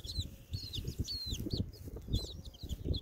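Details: Baby chickens outside on a windy day: thin, high, down-slurred peeps come in quick runs and scattered single notes over a constant heavy low rumble of wind.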